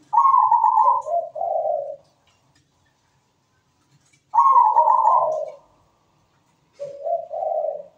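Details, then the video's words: Zebra dove (perkutut) singing steadily: two full phrases of a high burry coo followed by lower trilled notes, separated by silent pauses of about two seconds, ending on a lone lower coo. "PERKUTUT GACOR SUARA MERDU"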